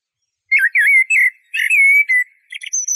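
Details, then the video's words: Eurasian blackbird warbling a rolling series of looping flute-like whistles, then a long level note, ending in thin, high-pitched squeaky twitters. "تغريد طائر شحرور (جحمومية)Merle noir"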